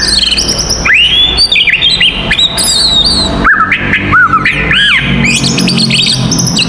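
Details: Fighting song of an oriental magpie-robin, used to provoke other magpie-robins: strong upward-swooping whistles, harsh chattering notes and scratchy squawks, interrupted by a brief break, then dense twittering resumes.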